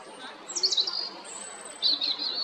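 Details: European robin at Jarun in Zagreb, Croatia, recorded 13 April 2022; high sibilant whistled phrases, a brief burst of fast notes then a sustained shimmering high trill after a pause.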